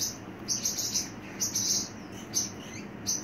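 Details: Sharp, high chirping from a pet Pacific parrotlet, quick bursts running together in busy runs, then a few isolated peeps, with a soft steady room hum underneath.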